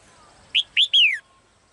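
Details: A single phrase from a caged female bird: three loud pure whistles in quick succession, the last one longest and sliding steadily downward.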